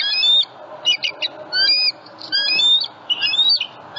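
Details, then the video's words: Bald eagles at a Southwest Florida nest holding eggs, a juvenile passing overhead one February morning; high, thin whistled notes, some drawn out and slightly falling, alternating with short clustered chips and brief gaps. "SWFL Eagles * MORNING BLESSING * And Juvie Says Hi to Harriet M15 & Eggies As It Flies Over Nest"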